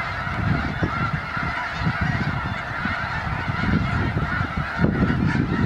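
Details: A large winter congregation of snow geese in Skagit County, Washington fills the air with a dense, unbroken chorus of nasal, yelping honks over a low rumble of background noise.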